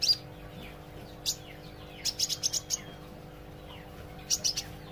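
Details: Olive-backed sunbird learning to sing, practising song: a few high sharp chirps, then a quick cluster of four bright ticking notes and another short burst near the end, over steady low electrical hum.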